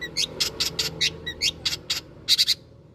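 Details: Long-tailed shrike lure recording meant to get other birds singing along: a rapid run of harsh, rasping high chattering notes, about four per second, ending in a louder triple burst, over faint low background noise.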